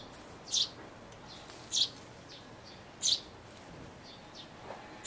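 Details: Sparrow young close to leaving a birdhouse, recorded 12 May 2012: three loud, high, squeaky chirps spaced about 1.2 seconds apart, with faint softer chirps between them.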